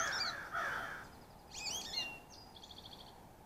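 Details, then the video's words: Carolina Chickadees at a shelled-sunflower-seed feeder in the Great Smoky Mountains, calling on arrival or departure: harsh buzzy notes, then thin high chips and a quick even run of high notes, possibly a male American Goldfinch. "Carolina Chickadee and American Goldfinch Calls"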